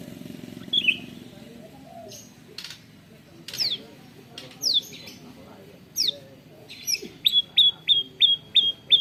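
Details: White-rumped shama with canary-imitation fill, recorded on a phone: scattered sharp downward-sweeping whistles spaced a second or more apart, then a quicker series of six short level chirps at the end.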